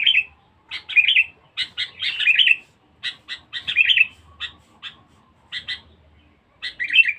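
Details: Sooty-headed bulbul, a vocal and aggressive lure bird, giving sharp clipped notes and short rolling whistled phrases in irregular clusters, separated by clear gaps of silence.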